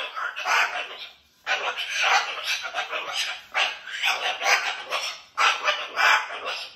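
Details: Pet cockatoo using his whole body as he tells his stories indoors: rough, raspy squawking bursts in four bouts separated by short pauses, with no other clear sounds.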